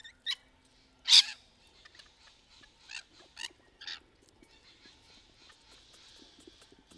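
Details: Rainbow lorikeets courting among trees: a brief squawk, then one loud shrill screech, followed by several softer rasping calls at uneven intervals over faint chatter.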